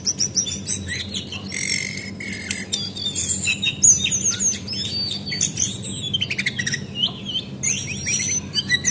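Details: Dense chattering twitter from a female Javan white-eye, played as a lure to make birds sing, with high chirps and slurred notes running almost nonstop through the phrase.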